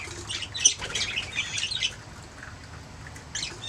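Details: Budgerigars chirping and singing: a dense burst of scratchy, high chatter and squawks lasting about two seconds, then near quiet before a short final flurry of chirps.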